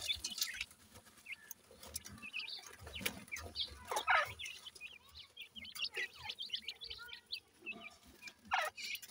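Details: Sindhi grey francolin chicks at feeding time utter many short, high, repeated chirps and quick upward peeps, joined by occasional sharp clicks and pecking sounds.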